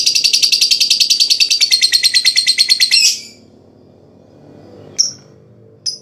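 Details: Lovebird performing ngekek, the long chatter played to stimulate other lovebirds to sing: a fast, harsh, rattling trill of high notes lasts three seconds and stops abruptly. Two single sharp chirps follow after a pause.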